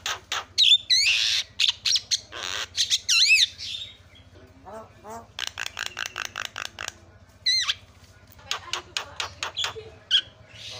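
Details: Javan myna calling to make other mynas answer: rapid harsh notes and looping whistled slides in irregular bursts, with softer rattling passages between them and a low hum throughout.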